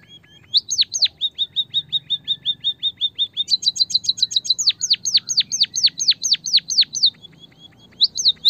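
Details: White-headed munia song used as a lure and tutor recording: a fast run of thin, high, downslurred peeps, two or three a second, with a brief pause before the last few.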